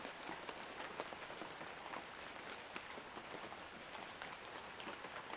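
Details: Steady light rain patters and drips throughout, with no animal calls heard.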